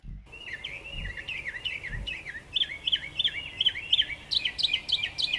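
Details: Brown thrasher song, recorded by the bird-feeder watcher: a rapid run of short whistled, down-slurred notes, several per second, rising in pitch and growing louder and richer toward the end, with a few low thumps at the start.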